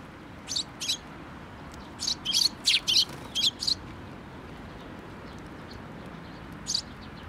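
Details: Sparrows at a shrine coming to be fed from a post in late May, giving short high chirps in bursts, a quick cluster of about eight in the middle and a single chirp near the end.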